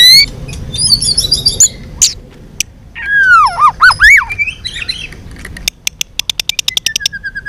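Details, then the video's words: White-rumped shama, fighting song with many voices: varied high whistles, a looping rich warble dipping and rising, then a fast evenly spaced series of sharp ticking notes ending in a falling whistle. "chòe lửa hót đánh đuôi thái độ.kích chòe lửa hót đấu. chòe lửa hót nhiều giọng căng lửa"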